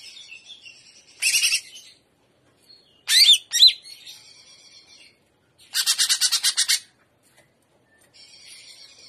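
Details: Greater green leafbird in trotolan, gaya udang song: soft high twittering, a harsh buzzy burst, a few loud whistled slurs, then a fast rattling series of clipped notes.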